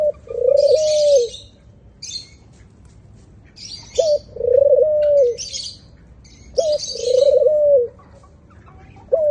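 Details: Repeated cooing of white doves. Each phrase is a brief upward-flicked note, then a drawn-out steady hooting coo, heard three times about three seconds apart. Sharp high-pitched chirps from other birds fill the gaps.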